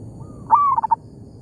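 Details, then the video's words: Single phrase from a local zebra dove calling back to a decoy in an oil palm plantation: a faint lead-in, then a loud rising note that breaks into three quick staccato coos. "merdunya suara perkutut lokal di kebun sawit,bersahutan dengan pikat"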